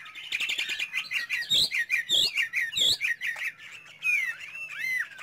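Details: Caged Chinese hwamei singing loudly: rapid rolling whistled notes, several sharp downward-slurred loud phrases repeated, ending in curved rising and falling whistles.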